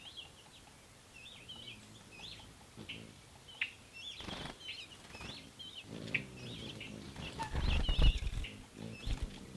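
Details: Ruby-throated hummingbirds battling at feeders: rapid, squeaky, twittering chip notes in quick irregular bursts, mixed with whirring wingbeats and a few low thumps.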